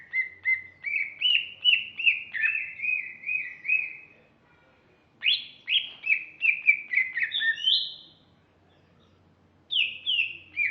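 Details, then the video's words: Singing female greater green leafbird: rapid chains of whistled notes, each phrase descending step by step, delivered in three bursts separated by silent pauses of about one second. "kicau Cucak Ijo ( betina )"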